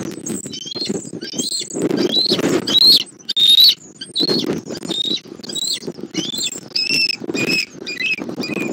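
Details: Wild adult bald eagle at its nest in Southwest Florida on 20 January 2024, delivering a fish and eating it himself, recorded by a nest camera: high, thin, chittering whistled notes in irregular bursts over rustling and bumping sounds.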